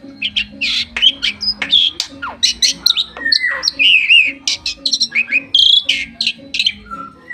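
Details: Bali myna perched on its owner's hand in Bali, 2023, singing a busy medley of clear whistles, squeaky chirps and short rising and falling slurs, with a steady low background hum.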